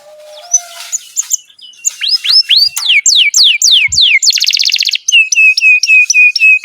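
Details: Canary singing as a tutor for young canaries and those that stopped singing: soft twitters, then loud falling whistles in series, a harsh rapid buzzy roll, and evenly spaced hooked notes about five per second.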